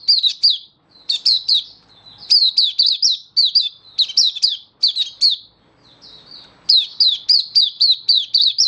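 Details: Caged oriental white-eye giving an open song display, 24 February 2023: several runs of piercing, downslurred chirps, each run four to eight notes long, broken by gaps of quiet twittering.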